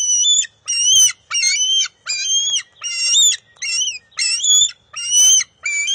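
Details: Young bald eagle at the nest on June 23, 2021, refusing to share a fish with its mother: nine insistent, high whining notes with bending pitch, evenly spaced, accompanied by clicks and rustling from the struggle.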